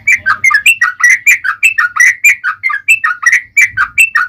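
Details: Yellow-vented bulbul in a fighting mood giving its long 'ropel panjang' rolling song, used as a lure: quick bubbly whistled notes dipping and rising, about four a second, with faint low rumble at the start and near the end.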